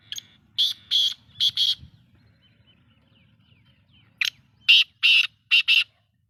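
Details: Black-tailed godwit uttering grating, buzzy calls in two bursts of four or five notes, some paired closely, separated by a pause with a faint thin whistle and low background murmur.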